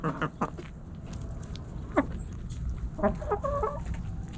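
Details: Backyard hens and roosters pecking and scratching; scattered short clucks and scratching clicks, then a brief cluster of harmonic clucking notes near the end over low rumble.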